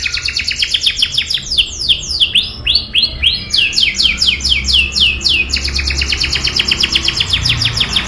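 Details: Canary in full rolling song, used as tutoring material for young canaries: rapid buzzy high trills flow into a series of swooping curved whistles, then return to a fast, steady stuttering trill.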